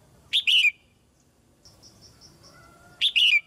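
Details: Caged female red-whiskered bulbul singing to encourage newly grown young birds to sing more: two loud, short whistled phrases about 2.7 seconds apart, each a sharp note then a slurred, falling whistle, with faint thin tones between.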